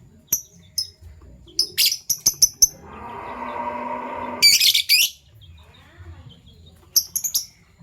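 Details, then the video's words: Violet and gold opaline Fischer's lovebirds chirping in the morning: quick high chirps in short runs, interrupted by a steady rushing mechanical noise for about two seconds, then a harsh burst and more chirps. "Lovebird Chirping Sounds"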